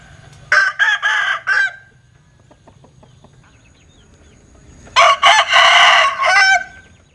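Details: Rooster of the Linh Kê type giving a strange, unusual crow: a choppy burst of three harsh syllables, a pause with faint ticking, then a second longer, rasping crow of several joined notes.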